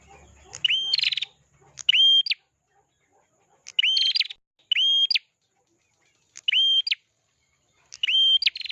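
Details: Prinia, singing actively: loud, flat whistled notes with a sharp upturn, some broken by buzzy rattling trills, given in short bursts every one to two seconds; faint low rumble at the start.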